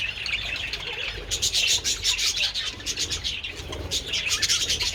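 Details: Budgerigars enjoying treats in sunshine on 27 February; after a quieter opening second, loud fast chirping and chattering erupts, busy high twitters packed tightly together throughout.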